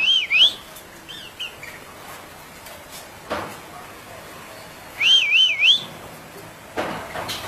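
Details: Grey-backed shrike, Lanius tephronotus, giving loud wavering whistles. A short undulating phrase opens, followed by softer echoes. Later comes a longer rapid series of rolling up-and-down notes. The background is fairly quiet.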